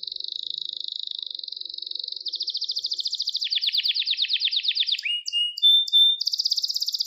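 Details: Canary song used for training young birds: a long, even, high trill that speeds up, then a coarser rolling run of falling notes, a few clipped whistles, and the fine trill again, in a clean recording.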